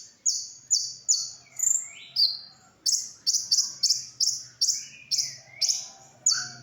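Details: ['Brown-throated sunbird, training song for other cage birds: steady series of shrill, high chirps with some lower sliding whistles mixed in, and a faint low hum beneath.']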